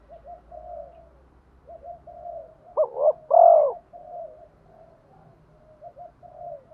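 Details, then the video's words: A decoy spotted dove calling to lure and provoke wild males gives one loud double coo phrase against quieter background cooing and a low hum. "Tiếng chim cu gáy mồi gáy gọi bổi/ tiếng chim cu gáy thúc đấu giọng hay"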